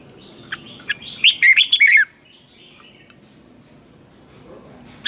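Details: Thai red-whiskered bulbul training song: a single warbled phrase of quick whistled notes near the middle, preceded by soft scattered chips, then a long quiet stretch with faint background hiss.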